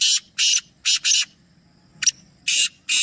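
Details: Three black francolins (kala teetar) calling: harsh, rasping, buzzy notes in pairs, each phrase led by a short sharp click, repeated twice with brief pauses, over a faint low rumble.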